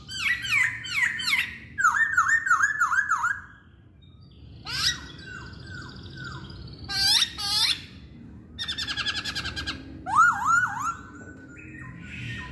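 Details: Chinese hwamei singing a varied, loud song of rich whistled phrases: rapid repeated slurred notes, rolling trills and sudden swoops, broken by short pauses, with a faint low hum beneath.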